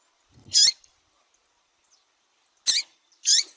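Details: Female double-collared seedeater giving calls meant to excite males: three brief, sharp, high-pitched chirps, the first followed by a pause of two seconds, the last two closer together. Otherwise quiet.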